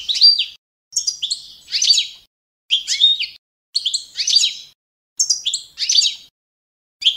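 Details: Training-standard competition song of the Balkan goldfinch, Carduelis carduelis balcanica: short, clustered twittery phrases with buzzy, scratchy notes, repeated about every second and separated by brief gaps.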